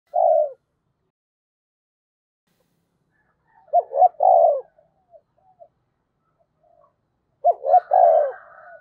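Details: Spotted dove used as a decoy, calling with a good voice: low hooting coos in short phrases, a brief coo at the start, then two multi-note phrases of stuttered notes ending in a longer coo, separated by silence.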